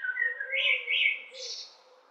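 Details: Common blackbird perched and calling at length with no reply; a short fluted, warbling phrase in the middle range, rising into a brief higher, thinner twitter at the end, over a faint low steady tone underneath.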